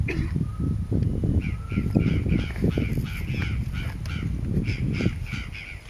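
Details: Yellow-billed cardinal (Paroaria capitata capitata) singing in the Pantanal at Pouso Alegre, Brazil: a steady series of short clipped notes, some doubled, over heavy low-pitched rumble, with crested oropendola also in the area.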